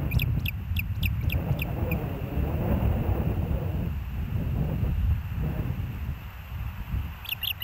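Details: Osprey at the Hellgate nest, recorded by a live nest camera on 06/09/2024 at 13:17: a quick run of about seven sharp, high whistled chirps in the first two seconds, more chirps at the end, over steady rumbling wind noise.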